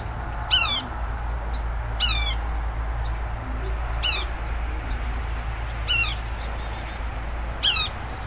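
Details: Yellow-bellied sapsucker frequenting a tree next to a house in Woodlawn, Montgomery County, Tennessee; five brief nasal, squealing downslurred calls spaced roughly every 1.5 to 2 seconds, with low rumbling background noise.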